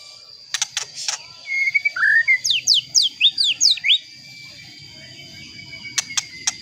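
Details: White-rumped shama singing to rile up rival shamas: a short whistled phrase followed by a rapid sequence of about ten bright slurred high notes, framed by sharp clicks and a steady faint high tone.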